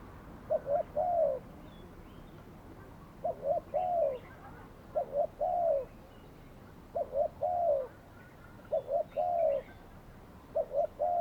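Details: Spotted dove kept as a trapping decoy, cooing on a Saturday; steady series of phrases, two short hooted notes then a longer sliding coo, repeated every two seconds or so, with light bird chirps in the distance.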